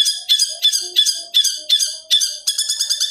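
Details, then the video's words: Long-tailed shrike training recording for captive birds: a fast run of repeated harsh, buzzy notes, about three per second, ending in quicker stuttering notes, with faint lower warbling underneath. "MASTERAN SUWARA BURUNG CENDET"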